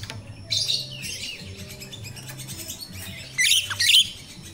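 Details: Jalak rio-rio myna in natural voice, a lure for training untrained captive birds: an opening rasping phrase, a quieter pause, then two loud harsh chattering bursts near the end, with a low hum throughout.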